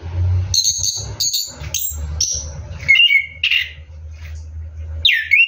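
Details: Orange-headed thrush at night while bathing, giving high whistled notes and short slurred phrases between bursts of splashing water; a sharp rising whistle ends the passage.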